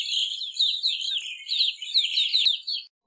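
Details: Evening grosbeak producing a steady stream of rapid, tumbling chirps and trills, dense and unbroken for nearly three seconds before stopping abruptly, with a faint click near the end.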